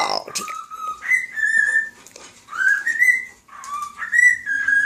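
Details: Captive male cockatiel whistling a human melody to a fish and other birds: clear tonal notes gliding upward, held, then stepping between two pitches in repeated phrases, with a brief human voice at the start.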